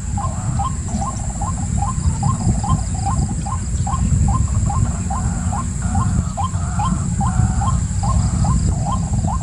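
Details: White-breasted waterhen calling in a steady series of short upslurred notes, about two per second, over a strong low rumble and a constant high whine.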